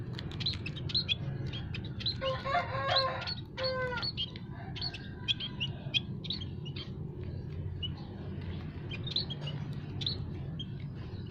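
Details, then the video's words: Several kinds of munia in an aviary, recorded to attract wild birds for trapping: busy high chirping throughout, with a burst of ringing harmonic notes in the first seconds, over a steady low rumble. "burung emprit kaji,emprit peking,emprit jawa full masteran kicau pikat paling ampuh"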